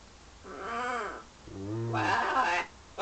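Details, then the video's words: Caged pet parrot in London flirting at a mirror and toward birds beyond the window, giving two drawn-out, wavering, nasal harmonic vocalizations, the second rising into a brighter, noisier crescendo before cutting off. "My bird flirting in the mirror & to others out the window"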